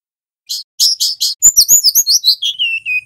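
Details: Golden-bellied gerygone, locally called siur or remetuk laut, wild-caught male and female used as a training recording: a few buzzy chirps, then rapid high twittering with faint clicks, ending in a falling whistle that settles into a steady lower note.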